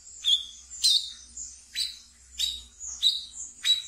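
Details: Brown-throated sunbird in captivity giving ngeriwik chatter, a song used as a lure and therapy for untamed birds: sharp descending high chips, each starting with a brief buzz, repeated about every half second.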